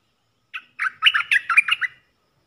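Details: Red-eyed bulbul, a wild bird responding to a caged decoy. About ten rapid, liquid gurgling notes tumble together in a phrase of roughly one and a half seconds.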